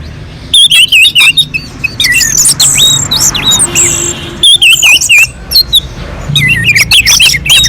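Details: Orange-headed thrush on a mountain slope, its song meant to provoke other birds into singing; clusters of sharp V-shaped whistled notes repeated in quick groups, broken by softer gaps and scratchy chatter.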